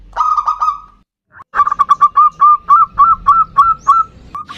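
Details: Local zebra dove delivering ndudut-variation song as a lure to draw in and provoke a rival bird. A short burst of notes, a silent gap, then a steady train of clear, slightly rising hooted notes.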